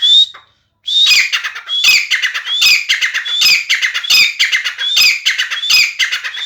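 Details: Chakri-style babu Sindhi grey francolin, claimed to call 270 times in a minute, gives one call, pauses briefly, then delivers eight loud repeated phrases, each opening with a sharp rising whistle and breaking into fast, harsh, chattering notes.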